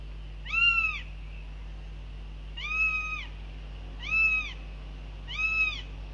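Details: Northern goshawk at a nest in Latvia on 9 June 2021, telling off the male arriving during the young's feeding: four drawn-out, mewing wails arching up then down, about one every 1.5 seconds, over a low steady hum.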